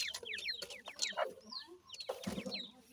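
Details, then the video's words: Francolin chicks with their family give quick, falling peeps, fewer toward the end. Soft low clucking-like notes and rustling follow. "baby teetar with family,pheasant baby voice"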